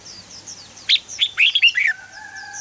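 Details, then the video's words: Red-whiskered bulbul delivering one brisk warbled phrase of about six rich notes, followed by a steady thin whistle. Faint high chirps from other birds come before and after. "เสียงนกกรงหัวจุก สำหรับต่อ หรือ เปิดให้นกคึก เสียงเพราะๆ"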